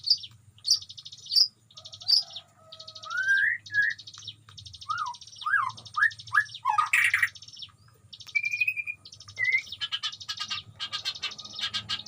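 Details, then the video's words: Caged white-rumped shama singing in a colony cage on a breeding farm, where many wild animals live nearby: high repeated chirps, rising slurred whistles, downward-swept notes, a loud buzzy burst and rapid trills, over a low steady hum. "murai gacor di kandang koloni Suara aneh"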